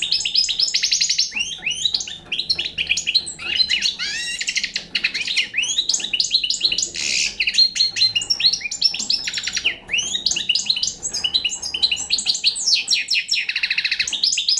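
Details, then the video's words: Young European goldfinch of Balkan type singing a rapid, continuous twittering song: dense tinkling trills, buzzy rattles and quick rising and falling notes, loud and close, with no other sounds. "Pesma štiglića- mladi balkanac"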